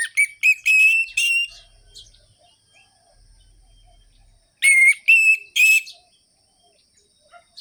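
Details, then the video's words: Orange-headed thrush song for stimulating other birds: short bursts of loud clear whistled notes, a few in quick succession, a pause with faint low rumble, then another sharp run of whistles. "ANIS MERAH GACOR ABIS untuk pancingan bunyi burung anis merah yang loyo"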